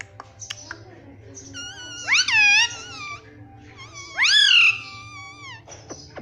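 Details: Pet Indian ringneck parakeet, kept indoors, talking, said to repeat "Mitthu Mitthu": two loud, nasal, harmonic phrases, each swooping up and then down, spaced about two seconds apart, over a low steady background hum.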